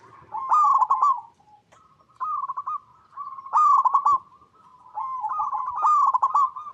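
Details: Local Indonesian perkutut, the zebra dove, in natural habitat, played as a lure so other birds reply: repeated phrases of quick, trilled staccato coos about every one to two seconds, some loud, some softer, over quiet background.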